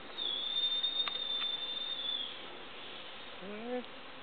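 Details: A juvenile great black hawk, one of two in the area, on the road to Caracol in Chiquibul Forest Reserve, gives a long, high, thin whistle held about two seconds, trailing off; brief human voice follows.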